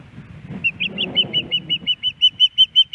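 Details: An adult female osprey on a nest in Hellgate Canyon, Missoula, Montana, asks the male for fish, 10 September 2018. About thirteen shrill whistled notes follow one another steadily, roughly four per second, over faint low rumble.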